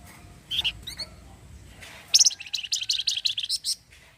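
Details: Orange-headed thrush in full chatter, the 'cretetan' style said to draw replies from other birds: a few short sweet notes, then a fast run of about a dozen bright, clipped high notes pulsing steadily for nearly two seconds.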